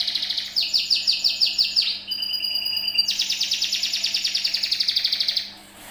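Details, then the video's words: Canary singing as a lure to get other birds singing: a varied high-pitched song of rapid repeated notes shifting between trill types, with a brief pure whistled section in the middle, then a long fast rolling trill that fades at the end. "Pancingan burung"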